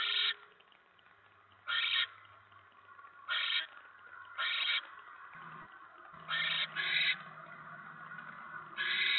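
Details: During a mouse delivery at a barn owl nest on a November 2017 evening, harsh screeching hisses come in an irregular series, about eight in nine seconds, some doubled close together, over low humming noise.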